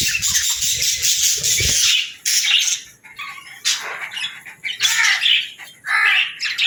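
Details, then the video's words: Budgerigar kept as a pet giving loud rasping squawks and short chirps in separate bursts about a second apart, with brief near-silent pauses between them. "Parrot Sounds | Budgie Videos"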